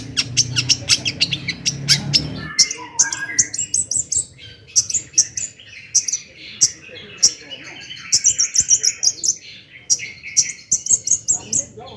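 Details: Long-tailed shrike singing lively 'toet toet' song to rouse other shrikes: quick ticking notes at first, then a long varied medley of chattering, high twitters and squeaky whistles.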